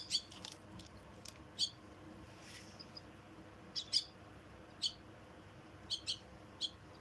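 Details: Myna chicks being fed, giving short, sharp, high-pitched chirps in scattered bursts, some doubled, spaced irregularly about every half second to a second against quiet background.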